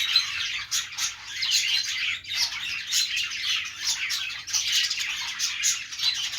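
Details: Budgerigars chattering in a constant high warble of chirps and squeaks, with a short dip in volume partway through and repeated sharp clicks.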